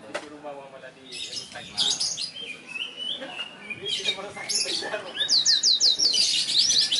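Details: Black-throated canary from South Kalimantan, Indonesia, singing vigorously. Scattered high chirps and short trills are mixed with a person's voice at first, then a loud run of rapid, rising whistled notes.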